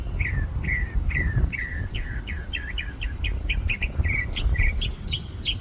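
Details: Bird singing its heart out from a treetop in a parking lot, rhythmic string of slurred chirps repeated roughly three times a second, rising in pitch and varying toward the end, over low traffic drone.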